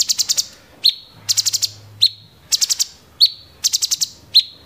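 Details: Cucak cungkok in "tembakan gereja" song: fast bursts of four or five clicks alternate with single sharp whistled notes that fall and flatten, repeated about once a second.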